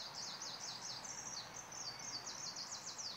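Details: Greenish warbler singing in Praha-Hodkovičky, Prague, on 10 June 2016: a continuous run of quick, high, sharply down-slurred notes strung into a hurried jumbled phrase, somewhat distant against steady background hiss.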